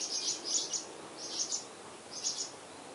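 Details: Purple martin chicks aged eleven days, Spring Branch, Texas, June 2010, camera near the nest: soft, high, hissing chirps given in three short clusters about three-quarters of a second apart.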